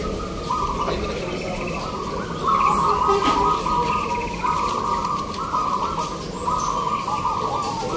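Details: Local zebra doves singing (manggung) in the free class of a judged contest at Gantangan Singosaren, Yogyakarta: many overlapping, rapidly repeated mid-pitched cooing notes in long runs, over crowd murmur and broadband background noise.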